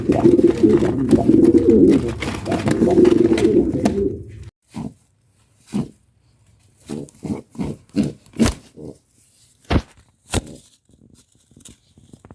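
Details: Pet pigeon pair kept for mating and nesting: several seconds of low, rolling cooing, followed by a series of sharp clicks and taps spaced irregularly.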